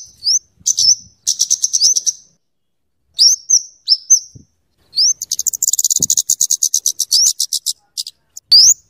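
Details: Scarlet-headed flowerpecker singing, a sound valued for luring and tutoring other birds: thin rising whistles, several fast high chip series, and a long rapid ticking run near the end.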